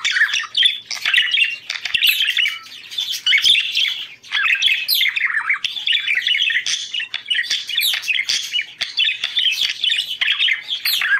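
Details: Long stretch of budgerigar song meant to encourage breeding; steady scratchy chatter of chirps, squawks and clicking notes running without pause.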